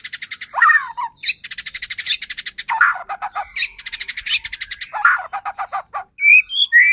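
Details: White-rumped shama singing as a lure to rouse another shama: rapid rattling bursts alternate with slurred whistled phrases, then clear rising whistles near the end, loud and varied throughout.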